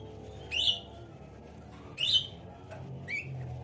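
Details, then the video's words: Velvet-fronted nuthatch kept as a tutor bird, singing actively: three sharp downslurred chirps spaced about a second apart over a low steady background hum. "MASTERAN MEWAH PLATUK BERAS GACOR"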